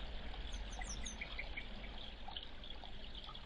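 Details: Two grey wagtails fighting over territory give a quick run of four thin, very high, sharp notes, then scattered softer chips, over steady rushing water.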